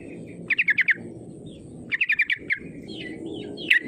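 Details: Sooty-headed bulbul lure call meant to provoke rivals into singing: two quick bursts of five bright chattering notes, a lone note after, and a short whistled phrase at the end, over low background hum.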